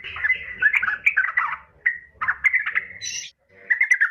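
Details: A female yellow-vented bulbul calling a male: dense, scratchy, bubbly chatter, then several rippling phrases ending in a higher squeak, over a soft low hum.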